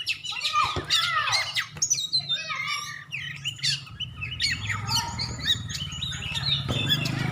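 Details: White-rumped shama, a champion contest bird from Aceh, singing quick varied phrases of chirps, stepped whistles and trills, with a steady low hum in the background.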